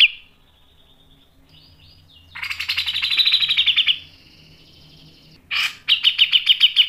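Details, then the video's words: Grey-cheeked bulbul singing vigorously with rasping bursts and sharp notes, used to lure other birds: a soft whistled phrase, then a long run of rapid, high, buzzing chatter, a brief pause and another fast burst. "MASTERAN CUCAK JENGGOT GACOR MBESET NGEPIK dan NEMBAK tajam | PANCINGAN CUCAK JENGGOT"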